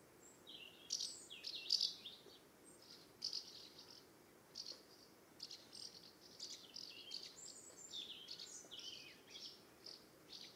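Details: Several common house martins give dry, rattling, high-pitched, irregular chirps and twitters, overlapping throughout over a faint hiss, as they fly around their nest site in summer in the UK.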